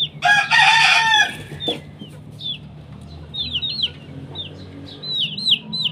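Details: Chickens in the morning during a fight: a loud harsh crow-like squawk burst at the start, then repeated short high rising chirps and clucks, with a busy background of other birds.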